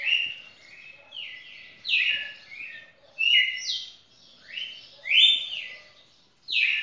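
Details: Red-cowled cardinal, a champion singer, in a long unbroken song: loud, clear whistled phrases that swoop upward and downward, grouped in bursts about a second apart, with a quiet background.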